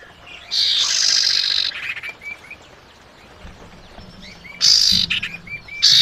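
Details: Female common iora calling the male, a lure call: loud buzzy chattering bursts, one lasting over a second and shorter ones near the end, with faint scattered chirps from other birds between them.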